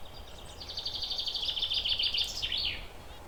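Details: Zebra finches perched, chirping in a quick, rattling string of nasal buzzy notes that rises in intensity and then fades, over constant background hiss.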